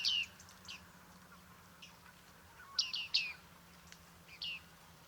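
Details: Bearded tit in Liepāja, Latvia, in July 2023, calling sparsely: scattered bright, falling 'ping' notes, a close pair near the middle, with soft background hum.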